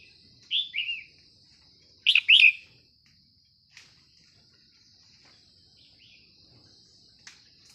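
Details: Wild Red-whiskered Bulbul near a morning trapping site with a decoy bird. Two bursts of short, bright, warbled notes: a pair of falling chirps, then a louder doubled phrase. Later come faint clicks over a steady high insect-like hum.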